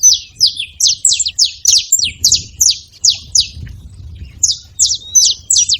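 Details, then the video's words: High, sharp chip notes from a saffron finch in a fast, slightly uneven series, falling quiet for a moment near the middle before a fresh burst; faint low rumble underneath. "Canário da terra fazendo barulho"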